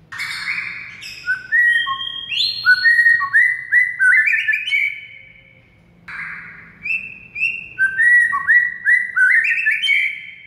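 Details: White-rumped shama song recorded as masteran to coax a mute shama into singing: two long bursts of fluty whistled slurs and rising notes, separated by a short quiet pause.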